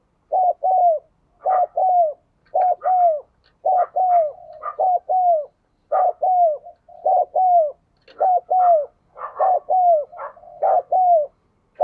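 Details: Spotted dove used as a decoy, cooing to trigger a fresh dove's cooing: long run of low mellow coo phrases, short notes leading into slurred falling coos, rhythmically repeated, with faint higher chirps in the background.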